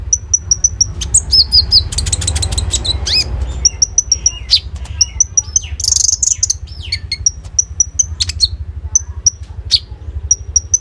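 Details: Common iora, caged and singing loudly in full 'roll tembak' fill-in style, recorded on an Oppo A37f phone: sharp high whistled notes repeated in quick pairs, mixed with chattering chirps and a brief rising whistle, over a steady low hum.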